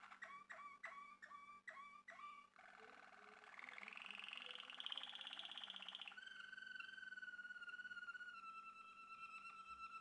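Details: Malinois Waterslager male canary, bred in Turkey, sings a run of sharp falling notes, then a rising bubbling water-like roll and a steady deep rolling trill.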